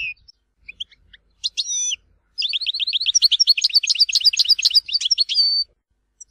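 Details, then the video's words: Tizi Ouzou-style European goldfinch song from Algeria: a few short chirps, two slurred whistles, then a long, rapid, rhythmic chattering run of high notes, about four per second, finishing on a held buzzy tone. "تغريد حسون تيزي وزو (كامل المقامات)"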